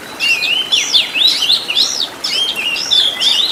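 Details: Oriental magpie-robin master song for training caged birds: repeated arching, swooping whistles, each rising then dropping steeply, in a steady looping series with short pauses.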